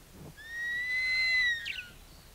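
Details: A juvenile Verreaux's eagle-owl (Bubo lacteus) in Kruger National Park calls with a single long, high whistle lasting over a second, steady then wavering and dropping at the end, over quiet outdoor background.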